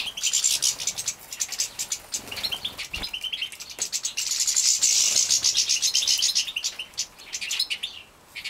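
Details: Captive-bred young European goldfinches in Poland, 2017, at feeding time: a dense, rapid stream of high, buzzy chirps, repeated several times a second, swelling into a loud continuous twittering chorus midway.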